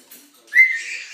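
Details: A pet budgerigar in the morning, kept with Senegal parrots and an African grey, gives a single bright, whistled chirp that holds steady and rises slightly.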